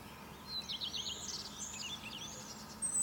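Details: Faint, somewhat distant phrase of thin, high, tumbling twitters from a European robin singing in the morning on a fir tree, over steady low background noise.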